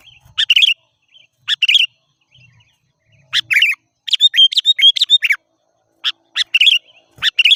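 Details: Lively chattering of sooty-headed bulbul used to draw in wild birds: rapid runs of liquid chirps and warbled notes, busiest in the middle, nearly continuous.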